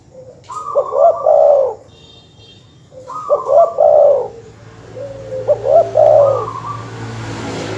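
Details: Master dove call meant to anger rival birds: three separate phrases about two and a half seconds apart, each a few quick mellow notes rising into a rolling, warbled coo.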